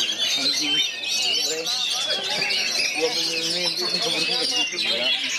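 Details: Oriental magpie-robins, three of them around another bird, pour out dense, high, rapid warbling and chattering phrases without a break, with a man's voice talking underneath.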